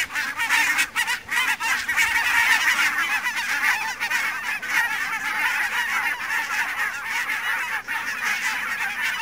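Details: Many barnacle geese heard through fog at Savonlinna's Niittylahti on 2 October 2011, a loud unbroken babble of yapping honks from the whole flock, with a few sharper individual calls standing out early on.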